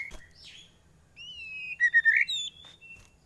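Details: White-rumped shama giving a full, varied song for training other birds: smooth, drawn-out whistles sliding up and down, building to a loud fluting phrase, then a soft high note.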